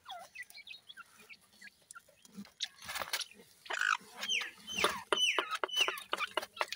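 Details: Grey francolin chicks, known locally as teetar ke bacche, giving rapid high chirps and short downslurred whistles mixed with soft clucking notes in irregular bursts, about two notes a second.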